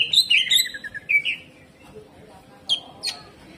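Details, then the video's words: Greater green leafbird in jamtrok style with harsh tembakan phrases. A short series of high whistled slurs sweeps downward, then two isolated sharp high notes after a pause. "CUCAK IJO GACOR HYPER TEMBAKAN KASAR"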